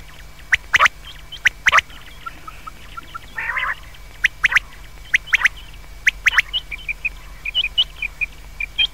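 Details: Night calling of common quail: spaced bursts of crisp, clicking high notes in twos and threes, one low buzzy growl in the middle, and a faint constant tone in the background.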